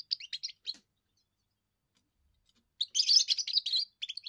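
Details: A young European goldfinch sings its first song, meant to hold territory and impress females: a short burst of chirps, over two seconds of silence, then a dense tinkling, buzzy twitter ending in a few separate notes.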